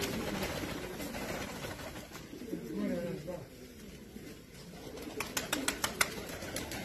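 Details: Pomeranian Pouter pigeon in an indoor loft in Serbia gives low, rolling coos, followed by a burst of sharp clicks or wing taps; faint voices in background.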